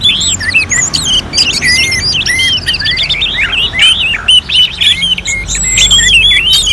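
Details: Orange-headed thrush song in a contest-style simulation from North Bali, Singaraja: dense, fast run of high whistled, slurred and chattering notes, overlapping phrases with little pause, sounding like several singers at once.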